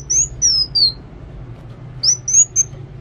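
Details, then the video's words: Kolibri wulung sunbird singing actively: a run of three thin, falling whistles, a pause of about a second, then three more high notes. "Kolibri Wulung Gacor"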